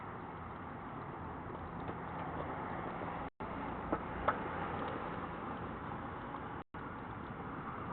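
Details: Muffled outdoor rumble of distant traffic with two brief dropouts and a few faint clicks, no calls heard.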